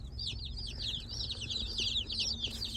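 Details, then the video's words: Seventy newly arrived Cornish Cross broiler chicks, day one, in a car, give a dense chorus of high overlapping peeping cheeps over a low rumble of car noise. "We have 70 broiler Cornish cross chicks. And I'm sure you can hear them right now."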